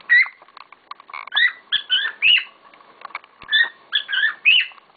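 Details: Several pet cockatiels calling loudly: clear whistled chirps, often rising then falling, repeated in small groups with short gaps.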